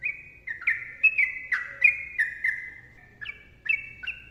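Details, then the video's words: Sooty-headed bulbul master song, slightly softer: drawn-out ringing whistles that glide down, followed by a few spaced, two-toned notes after a brief pause. "TRUCUKAN GACOR ROPEL PANJANG MBONANG SUARA RAPAT"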